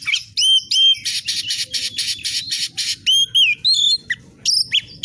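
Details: Oriental magpie-robin in energetic 'fighter' singing: loud, harsh buzzy rasps repeated rapidly, broken by bright looping whistles that swoop down then up.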